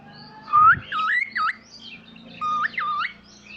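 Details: Pet talking cockatiel whistling two looping phrases, each of rising and dipping clear notes lasting about a second, separated by a short pause, over a faint low hum.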